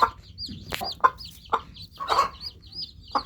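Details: Newly hatched chicks peeping: a steady stream of high, arched chirps, roughly one each second, with short sharp knocking or clucking sounds breaking in between.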